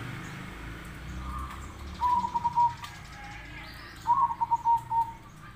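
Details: Local or crossbred zebra dove singing to call other doves to reply: two loud phrases of steady, slightly wavering coo notes about two seconds apart, over a low rumbling background.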